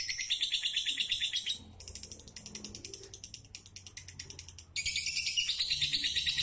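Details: Caged lovebird kept as a super fighter in Pemalang, Central Java, Indonesia, delivering fast, high, buzzy chattering in dense bursts, with a brief quieter stretch of rapid repeated clicks before loud chatter resumes.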